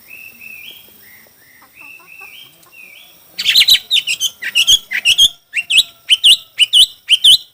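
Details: Chinese hwamei singing in a song contest: soft rising whistled notes in short series, then loud, sharply modulated phrases repeated about twice a second, high and ringing, with clicks between notes.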